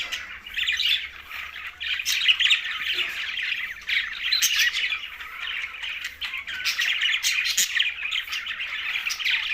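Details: A group of green budgies chatters continuously at mealtime, a lively jumble of raspy warbles, squeaks and clicking notes.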